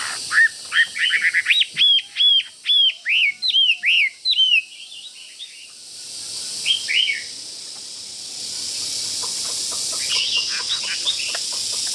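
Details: Caged Chinese hwamei fighting bird, excited near a rival and pecking at its cage, delivers a fast run of loud, clear, looping whistles about three per second for four seconds, then pauses before quieter chirps resume under steady hiss.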